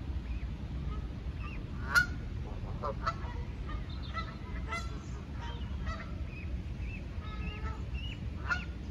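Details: Canada goose attacking a lost gosling: short harmonic honks and clipped calls scattered across nine seconds, one sharper, louder honk near the two-second mark, all over a steady low rumble of background noise.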